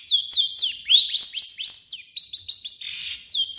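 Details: Long-tailed shrike singing its own varied song plus imitations of other birds, a quick string of clear upslurred and downslurred whistles, about four a second, over a thin high tone.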